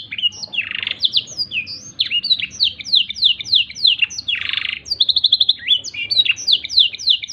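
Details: Black-throated canary song used as a tutor recording for training canaries: a fast run of high, sharp chirps and slurred whistles, with brief trills and a buzzy burst, repeated about three times a second.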